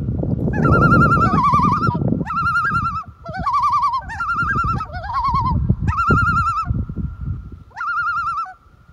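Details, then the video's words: A common loon in Minnesota, on open water, gives a run of short, quavering calls, each wavering up and down, repeated about once a second over a low rumble of wind and water. "Listen to the Loon calls."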